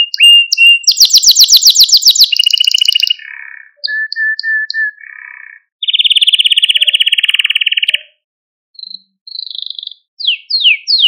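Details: Canary training song, played to stimulate and excite canaries and to teach young birds to sing. It runs as a chain of distinct tours: rapid high trills, a lower steady whistled roll, a long fast rattling trill, then short rising chips, with no background noise.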